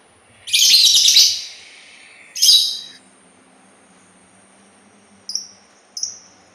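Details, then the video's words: Sultan tit, noted for its distinctive voice: a loud, dense high chattering burst about a second long, a second shorter burst, then two brief sharp chirps later on. "suara burung labet Sultan"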